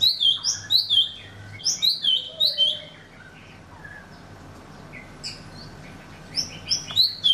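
Golden-fronted Leafbird giving quick, high chirping notes in bursts of three to four, with a quiet pause between the bursts and a faint low hum behind.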